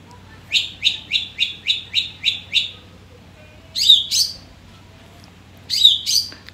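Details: Young caged Long-tailed Shrike still learning its song material, uncovered from its cage cover: a run of eight short, evenly spaced sharp notes over about two seconds, then a pause and two pairs of harsher chattering notes, with faint hum behind.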